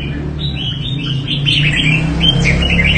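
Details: A red-whiskered bulbul of good quality from the Đại Quang area of Quảng Nam, Vietnam, sings quick, bright, warbling notes in a continuous run over a steady low hum.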